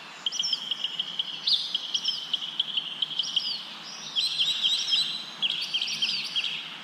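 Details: Birds chirping outdoors as wind blows through leaves: a sustained high trill under repeated sharp down-slurred chirps, growing busier with quick chattering clusters in the second half.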